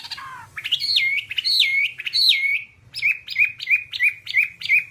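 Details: Whambie singing on a tutor recording for cage birds: a falling trill opens, followed by loud looping whistled phrases and then a steady string of repeated chirping notes.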